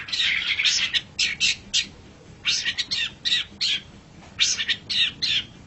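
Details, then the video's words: Long-tailed shrike master song for training pet birds, made of harsh, scratchy buzzing bursts in short clusters separated by brief pauses. "Suara Burung Cendet"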